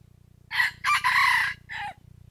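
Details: Male red junglefowl decoy crowing, kept to stir lazy wild roosters into crowing for trapping; a harsh, broken crow in three buzzy bursts over about a second and a half, then a short falling tail note, over faint low hum.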